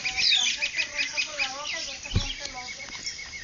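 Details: Daybreak chorus of llanos birds near Ciudad de Nutrias, Barinas, Venezuela, 12 February 2009; a run of short clucking, harmonic notes over bright high twitters and a sweeping whistle, with one dull knock midway.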